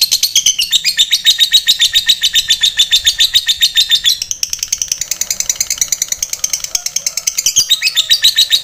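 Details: Long ngekek trill from a fighter lovebird, meant to draw a quick reply from rival birds and to train others; rapid high chattering pulses pour out nonstop, briefly thinning in the middle before surging again.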